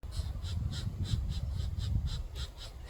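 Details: Two Pileated Woodpecker nestlings in a nest inside a rotten tree beg for food with a fast, steady run of hoarse, high squawks, about three a second, over a heavy low rumble.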